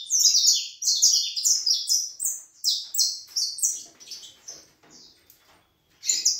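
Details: Saffron finch (canário da terra) singing a rapid run of sharp, high chirped notes, each dropping slightly in pitch, delivered in bursts with a short pause near the end before the phrase resumes.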